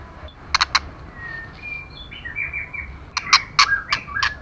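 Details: Female white-rumped shama stimulating males: paired sharp clicks, then a string of soft sliding whistled notes, ending in a burst of rapid clicks mixed with short whistles.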